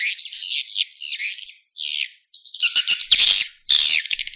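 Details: Roosting swiftlet calls: harsh, high, buzzy chirps and squeaky twitters in uneven bursts separated by short silences.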